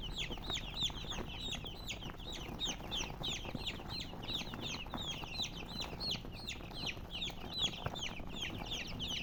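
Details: Chicken chicks chirping nonstop, a crowded flock of thin, high downward-sweeping peeps repeating in quick irregular succession throughout, with faint low background noise.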